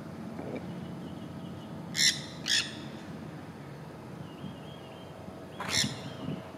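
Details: Six wild green parrots chattering during springtime courtship outdoors in Florida: a quick pair of raspy squawks, then a third harsh squawk about three seconds later, with low background rumble between calls.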